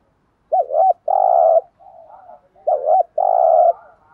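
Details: Spotted dove giving a thúc gù lure coo meant to make wild doves answer: two loud phrases, each a quick doubled warbling note then a long buzzy held coo, with soft quieter coos between.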